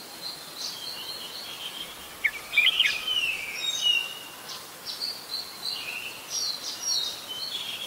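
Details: Red-whiskered bulbul, an adult, recorded on 16 December 2020 at Ubon Ratchathani, Thailand; a short burst of sharp, slurred whistles sounds midway, with a constant chatter of other birds behind.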